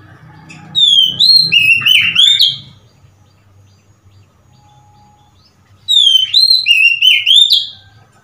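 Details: Two bright whistled phrases from an Oriental magpie-robin, recorded 3 March 2021, each of five or six notes swooping down and up and closing on a husky note, separated by a quiet gap of about three seconds.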